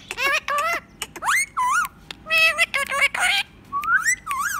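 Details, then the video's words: A pet rose-ringed (ringneck) parakeet talks in quick, slightly scratchy bursts of mimicked Indonesian words and laughter ("kue enak", "hahaha", "meong"), broken by clear rising whistles, with no other sounds. "Talking parrot"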